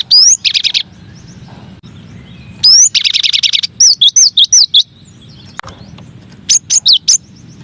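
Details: Masteran song of a cinereous tit, one of nine variations: a rising whistle opens a dense buzzy burst, followed by looping whistled notes and short high phrases, all separated by brief silences.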